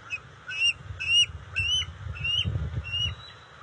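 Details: A series of five or six high, thin, slightly rising whistled notes, about two per second, from bald eagles at the NCTC nest during fish deliveries to juveniles on June 29, 2021. Low rustling and thumping sounds run underneath.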